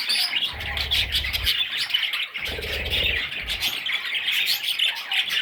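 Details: Several baby budgerigars beg together in steady, scratchy, high-pitched chirps that run without a break, with occasional dull bumps in the background.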